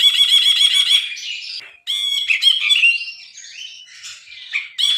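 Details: Lively bulbul (brinji) song for training other songbirds: opens with a harsh, rattling buzzy trill, then a dense run of chattering, scratchy notes and rising and falling whistled slurs.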